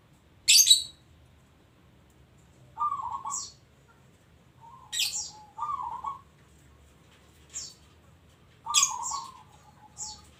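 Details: Singing local zebra dove. Three short burry coo phrases spaced about three seconds apart, each near a sharp, piercing high chirp. The background is quiet between phrases.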